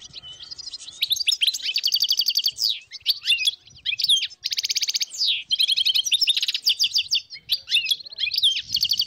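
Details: Wild European goldfinches, tens of them in northern Morocco in 2022, singing overlapping bursts of fast twittering and buzzy trills, with faint low noises in the background.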